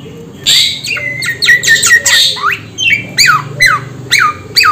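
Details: Samyong bird calling loudly: harsh squawky notes, then a series of descending slurred whistles repeated roughly twice a second; steady low hum underneath.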